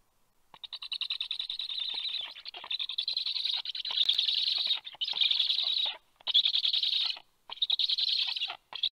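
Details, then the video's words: Black storks at a nest in Karula, Estonia, on 23 August 2022, as an adult arrives with large fish to feed the young; harsh, raspy, pulsed hissing comes in bursts of about a second, separated by short silent gaps. "fekete gólyák/black stork"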